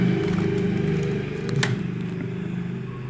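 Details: A motorcycle engine revs with a low throbbing hum and a brief sharp clatter midway, with no clear animal voice.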